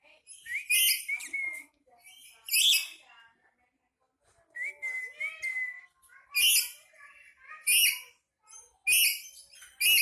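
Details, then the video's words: Angry pet black-capped lory giving loud harsh screeches in bursts, broken by clear whistled notes that rise and level off, with pauses of near silence between outbursts. "Burung sahabat lagi marah"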